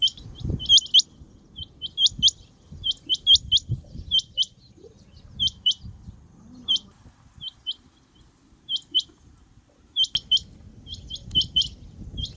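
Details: Rain quail repeating sharp, high upward-flicked notes in pairs and runs of three or four, steady for several seconds, with some low thumps and rustling underneath.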